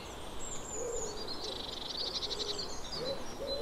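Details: Eurasian blue tit with a buzzy, rattling scold in the middle of the recording, high thin notes above it, and soft low hooting notes from another bird at the start and end.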